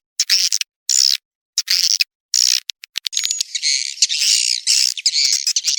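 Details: Swiftlet lure call mixed from proven swiftlet calling sounds to attract swiftlets: bursts of buzzy, high chattering twitter separated by short silences, turning into a continuous dense trilling chatter in the second half.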